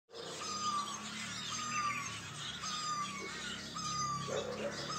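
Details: Morning birdsong in the hills of Doda, Jammu and Kashmir: a short descending whistle repeats about once a second beneath dense, overlapping high chirps and twitters from several birds, with a steady low hum underneath.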